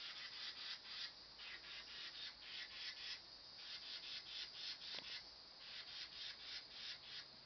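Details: Carolina wren fussing: a harsh, buzzy chatter of rapid rasping notes, about four per second, in steady bursts with brief pauses, against faint background hiss.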